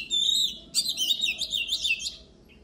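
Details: Oriental magpie-robin singing strongly for voice training before contests: a clear sustained whistle, then a dense, rapid jumble of warbled and chirped notes lasting over a second.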